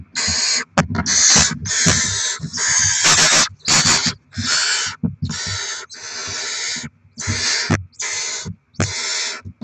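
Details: Barn owl adults bringing rodents to feed chicks, 07/02/2024: loud, dense series of harsh screechy hisses, roughly one and a half per second, overlapping at first, then separating into evenly spaced bursts, with faint thumps below.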